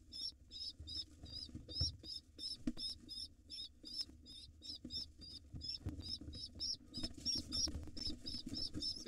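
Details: Wild pigeon nestlings beg excitedly while their father feeds them, a steady stream of brief, thin, high squeaks repeating about three times a second, with soft scuffling and bumps underneath.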